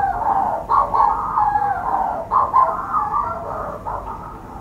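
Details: From a burrow under the warden's house on Skomer Island, South Wales, a Manx shearwater gives rough, wheezy crowing notes in close succession, hoarse rising-and-falling phrases with short catches of breath between them.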